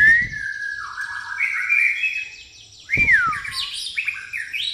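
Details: Pastol-type white-rumped shama singing a repertoire stuffed with fighting-sparrow (gereja tarung) imitation: long sliding whistles rising and falling, a loud swooping note midway, then quick chirpy fragments. A brief knock is heard at the start.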